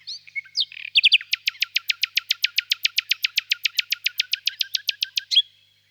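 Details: Common nightingale singing: a few short whistled notes, then a loud, fast rattle of sharp clicking notes repeated about four times a second, ending in an abrupt burst; quiet background, no other sounds.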